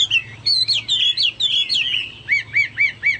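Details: Chinese hwamei singing actively, its song likened to cucak Papua or cucak mas: rapid slurred whistled phrases, then about four sharp upslurred notes per second repeated to the end, over a faint low hum.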